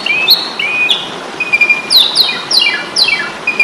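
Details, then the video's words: Training track of an Asian pied starling's fighting song: short whistled notes, then a run of four loud descending, raspy sweeps spaced about half a second apart, over light hiss. "Masteran jalak suren ,pasti tarung.."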